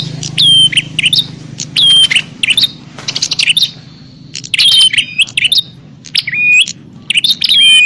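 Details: Fighting bar-winged prinias, used to draw in wild birds: clipped high chirps ending in clear, level whistled tails, in irregular groups with quieter stretches and a low background hum.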